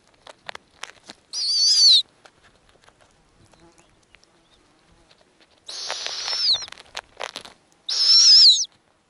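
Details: Snowy owl at a nest in the Arctic, where a female feeds small nestlings, the oldest about two weeks old. Three high, harsh, wavering screeches come about two seconds apart, with soft clicks and rustles between them.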